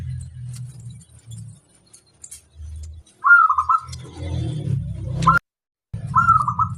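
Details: Local wild-type zebra dove giving two brief phrases of quick, rolling, cooing trills over a steady low rumble like a passing vehicle, with a sharp click and a short cut between them.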